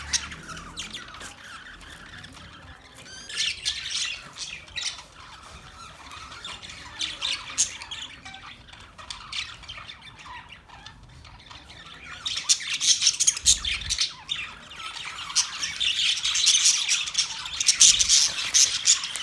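Budgerigars chatter with rapid, scratchy chirps and squawks that swell into a busy, overlapping flock chorus.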